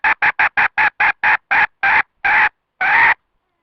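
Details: Trapping lure of a wild red junglefowl hen: eleven nasal, tonal clucks that start quick and close together, then slow and lengthen, ending in a longer drawn note before silence.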